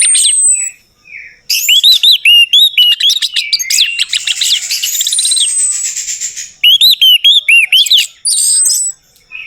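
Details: Orange-headed thrush singing, a recording meant to prompt a silent bird to answer: rapid series of looping whistled notes and high thin whistles, with a scratchy jumbled stretch mid-phrase and short breaks between bursts.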